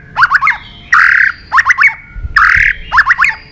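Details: Caged White-rumped shama fighting song: bursts of harsh, squawky stuttered notes alternating with short buzzy rasping phrases, in groups roughly every second.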